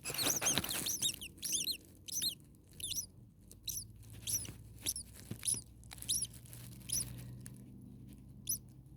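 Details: Common starling nestlings in a very hot attic nest, second day of recording at the second nest, with a parent bird nearby: rapid high, squeaky, wavering chirps in uneven bursts, roughly two a second, over a low background hum.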